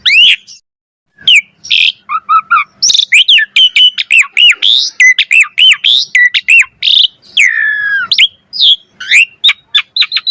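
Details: Full-variation gacor mompa singing by an Asian pied starling: after a short pause, a long dense run of chattering, arched and swooping notes at a fast pace.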